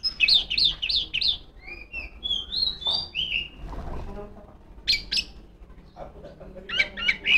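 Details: Female Oriental magpie-robin delivering loud ngeplong song to call rivals: quick repeated warbling notes, then a series of pure, descending whistles, and finally sharp, clipped, high chips.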